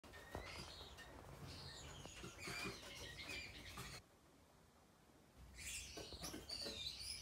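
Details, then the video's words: Gouldian finches, several chirps and short twittering notes, high and bright, scattered over several seconds with a quiet gap midway, over a soft background rustle. "Gouldian finches"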